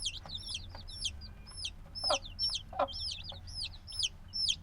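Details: Noisy young black chicks, hatched just days before, repeat sharp high peeps about two to three per second, each sliding downward, with occasional soft clicks and faint low hum.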